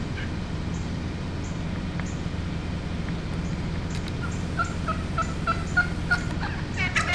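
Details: Many wild turkeys gathered in one spot, including a strutting male, call from the flock, with quick runs of short clucking notes building in the second half over a steady low rumble.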